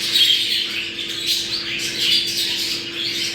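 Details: Budgerigar chatter meant to stimulate breeding: continuous busy warbling and squeaky chirps from several birds, with a constant low hum underneath.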